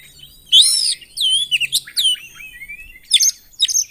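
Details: Oriental magpie-robin in full, agitated song rich in mimicked phrases; loud whistled swoops and quick chattering notes in bursts, a long wavering phrase after a brief pause, then sharp clustered chips near the end.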